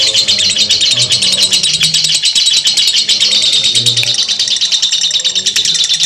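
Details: Lovebird producing long ngekek chatter: quick, harsh, high notes strung into a relentless buzzing rattle, with soft low tones in the background.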